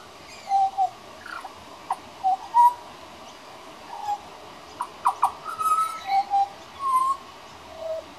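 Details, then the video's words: Juvenile pied butcherbird practising its singing on a regular visit: pure, flute-like whistles, some level and some sliding up or down, spaced unevenly with a few brief sharp clicks between them. "Young Pied Butcherbird Singing"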